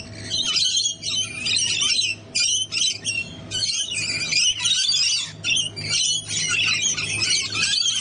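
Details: Rainbow lorikeets, a flock of parrots on a balcony, giving a dense, continuous stream of shrill screeching and chattering calls with brief pauses, several birds calling at once, and a low steady hum beneath.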